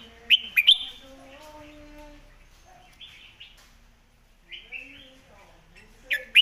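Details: Red-whiskered bulbul master-song phrasing for teaching birds: sharp chirped notes open, then spaced whistled slurs with long pauses between them, and a final burst of crisp chirps. Faint lower tones underneath.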